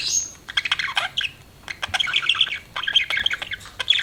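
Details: Pet budgerigar chirping: quick bright chirps and short warbled notes, bursts of chatter with brief pauses between them.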